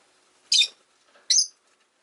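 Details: Caged rosy-faced lovebirds, one of five pets kept by a window, give two sharp, shrill chirps nearly a second apart in an otherwise quiet indoor setting.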